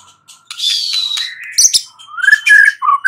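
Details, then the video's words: White-rumped shama song at night, used as a lure recording to make other birds answer and sing actively: a harsh buzzy burst with high streaks, then sharp high notes and rich rising whistled phrases ending in short slurred notes. "Pancingan Murai batu MALAM HARI Auto NYAUT GACOR"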